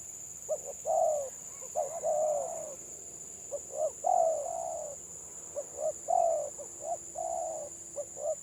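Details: Spotted dove, a village bird, singing in the stuttering 'gagap' style: short clipped coos leading into longer throaty coos, phrases repeating roughly every two seconds, with a steady high electronic whine behind.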